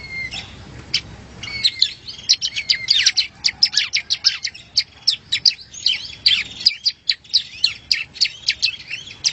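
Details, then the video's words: Ashy prinia, known locally as prenjak rowo, singing in a masteran recording: a long run of rapid, high, clipped chirps and upslurred notes, steady chattering with only short gaps throughout. "MASTERAN SUARA BURUNG PRENJAK ROWO"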